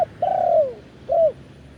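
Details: Wild spotted dove in Thailand, recorded live in the 'khan yon' crowing style. A long, low coo slides gently downward, followed by a shorter bowed coo after a pause, over a quiet background.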